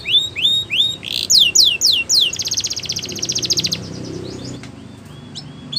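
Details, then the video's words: Canary song with looping whistled slurs and bright downward sweeps, then a fast, even trill lasting over a second. After the trill the song breaks into a few scattered notes. "Canary Sound Effect | Canary Singing"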